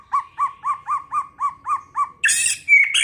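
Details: White-rumped shama in early season song: a steady series of nine soft arched whistles repeated about four times a second, ending in a loud harsh rasping burst with a sharp high whistle.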